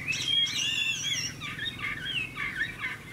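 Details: ['Golden-toned, big-tailed caged Hwamei in a singing contest; somewhat distant, jumbled warbling whistles and short slurred notes over a low background hum.']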